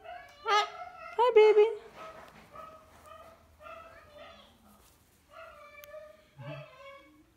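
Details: Pet cockatoo imitating a dog indoors: two loud, rough, yelping barks in quick succession, followed by softer tonal whines and a person talking to the bird.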